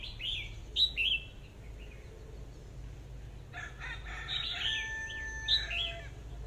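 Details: Red-whiskered bulbul singing short, clear whistled phrases with rising and falling warbles, a burst of three in the first second, then softer mixed chirping and a thin steady whistle later, over low background hum.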